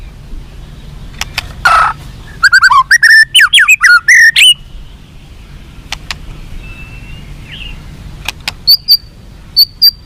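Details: Song of a White-rumped shama meant to make captive birds more responsive and combative: scattered clicks, a two-second burst of rapid varied whistles, a soft drawn note, then sparse high sharp notes.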